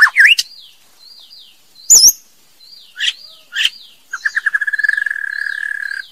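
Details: Female white-rumped shama: two brief loud whistled bursts over soft, repeated, high, falling notes. The clip ends in a fast, even trill that runs for about two seconds.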